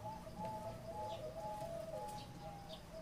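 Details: Zebra dove song in the 'tap' style, rather faint: overlapping drawn-out coos on two close pitches, repeated about twice a second over a noisy background.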